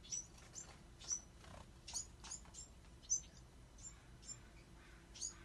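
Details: Rapid, irregular series of thin high-pitched squeaks and chirps from Bewick's wren fledglings, notes close together and varying in loudness, with a faint hum in the background.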